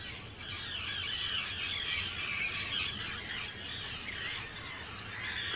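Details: Dense chorus of Arctic terns at a large breeding colony, Rottumerplaat, the Netherlands, 4 June 2023: continuous overlapping harsh, scratchy squawks from hundreds of birds, with steady wind and sea noise beneath.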